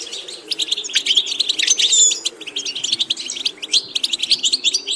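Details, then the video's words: A European goldfinch song meant for training other goldfinches to sing, made of a dense, rapid twittering run of bright, liquid chirps with brief sharp whistled slurs around the middle, steady throughout without pauses. "Watch how to develop a distinctive vocal character for the Goldfinch"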